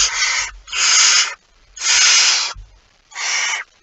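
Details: Barn owl at its nest with prey, 23 September 2019, giving four coarse hissing screeches of roughly half a second each, separated by short silent gaps, with soft knocks in the background.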